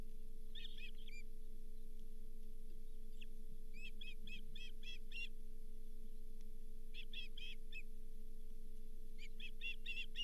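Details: Osprey calling at its nest while the day's fifth fish, a lake whitefish, arrives on 31 July 2023: short bursts of quick high chirps separated by quiet gaps, with a constant low hum underneath.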